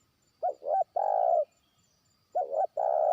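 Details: Lure-trained spotted dove calling a far rival: two close cooing phrases, each two short rounded notes followed by a longer level croon, in quiet surroundings.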